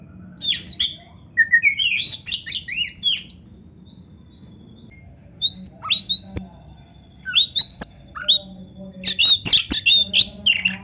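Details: Kacer (Oriental magpie-robin) delivering high, sharp chirps and quick whistled slurs in energetic bursts separated by brief gaps, with scattered clicks and a steady faint low hum behind the singing.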